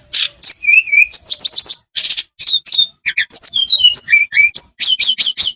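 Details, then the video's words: Olive-backed tailorbird pouring out quick high chirps, downslurred whistles and repeated sharp notes in rapid clusters, separated by short silences; a recording meant to get birds singing fully. "Tledekan pancengan supaya gacor dan bongkar isian.... biasa buat burung malas bunyi"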